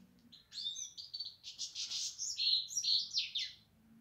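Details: European goldfinch singing a fast, jumbled twitter of bright, high notes with buzzy trills and tinkling chips, about three seconds long, in a quiet setting with a faint low hum.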